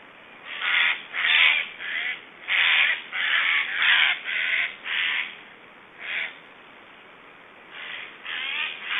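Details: Black storks at a nest in Estonia, 1 July 2012, making strange sounds during feeding: harsh, raspy, crow-like calls in bursts of about half a second to a second, repeated irregularly over steady background hiss.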